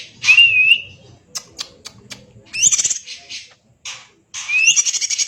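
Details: Greater green leafbird singing in a tight, kacer-like style. A clear rising whistled slur opens, then short sharp notes and a harsh pulsed rattle follow, ending in another buzzy rising phrase.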